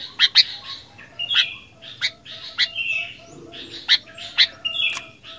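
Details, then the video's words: A sooty-headed bulbul delivers energetic fighter-style song, mixing crisp high chirps with brief whistled notes at uneven intervals over a quiet background. "Kicauan Kutilang Gacor Fighter"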